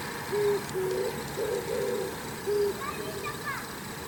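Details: On an antenna at dawn, an Oriental turtle dove preens and coos: a low, hollow note, a rougher burred pair, then another hollow coo, with brief high twittering from another bird near the end over steady background noise.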